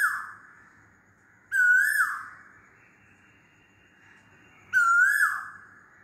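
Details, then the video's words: Loud calling of an Asian koel, with ringing whistled notes that rise and then fall away, repeated roughly every three seconds with quiet gaps between them. "LOUD KOYAL CALLING"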